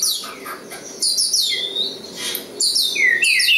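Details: Local East Java Oriental magpie-robin delivering short bursts of varied song: sharp high chirps, downward-slurred whistles and scratchy twitters, separated by brief lulls.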